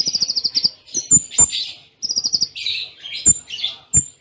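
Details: Kolibri ninja song in full 'tembakan cililin' style with short pauses, used as a training song: a rapid high trill of about ten beads, then thin whistles and buzzy notes, with sharp clicks and a second trill.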